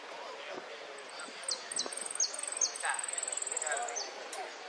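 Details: Saffron finch, Sicalis flaveola, sings with high down-slurred strokes followed by a long, rapid, pulsing trill and a final drop. Continuous rushing background noise and faint lower chatter are present.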